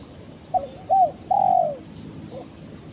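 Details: One call phrase from a spotted dove calling its companion: a brief soft coo, a fuller second coo and a long, slightly falling croo, over quiet hiss.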